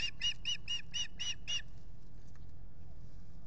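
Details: Osprey pair at the nest at Salt Point by a lake, nest camera, spring nesting season, April 19, 2021. Seven quick, shrill, whistled chirps in about a second and a half, then a low hum.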